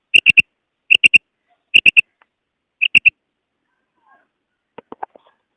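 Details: Female common quail giving its call, known locally as kirak: four loud, crisp triplets of high clicking notes spaced nearly a second apart, then a few softer, lower scattered notes afterward.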